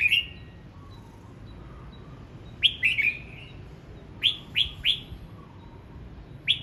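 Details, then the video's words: Red-whiskered bulbul practising its song at morning, one clear whistle, then a quick triple phrase, a run of three evenly spaced upswept notes, and a final note, over a faint hum. "Chào mào hót luyện giọng 12 phút cực hay"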